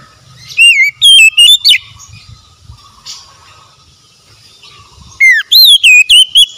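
Oriental magpie-robin singing two bursts of loud, clear whistled notes that swoop and rise quickly, separated by a few seconds of quiet background.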